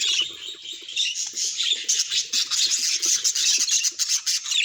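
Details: Budgerigar calls, said to reveal the bird's feelings: bright, scratchy warbled chatter, steady at first and then breaking into quick, clipped chirps toward the end.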